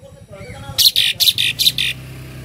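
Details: Tame Asian pied starling singing a full 'isian' song: after soft background murmuring, six loud, harsh, buzzy bursts follow each other in quick succession, then the sound fades to a low hum.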